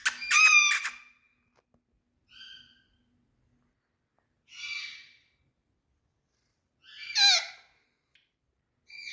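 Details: Indian talking parrots, all big males, utter scattered harsh, high-pitched squawks: one loud raspy burst, then fainter screechy calls spaced a couple of seconds apart, with silence between.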